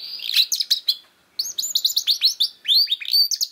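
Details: Young canaries are prompted to sing with this canary song: chattering whistled notes, a short pause, then a quick series of bright, repeated up-and-down whistles.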